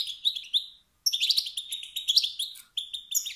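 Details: A male wild goldfinch's 'bit-bit' and 'stit' calls, which excite rival males: a rising twitter, a short pause, then a lively run of ringing chirps.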